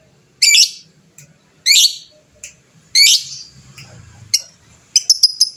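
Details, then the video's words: Lively fighter-type lovebird calling to goad other birds into replying; three loud grating bursts at a steady pace, then scattered ticks and a quick run of thin high notes at the end. "suara burung lovebird fighter gacor, cepat bikin lawan bunyi bersautan"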